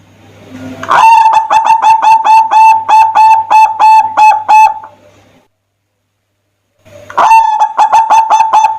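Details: Zebra dove in strong, vigorous song used as a lure to prompt other doves to sing: a loud run of rapid, evenly pulsed cooing notes on one pitch, a pause, then the phrase starts again.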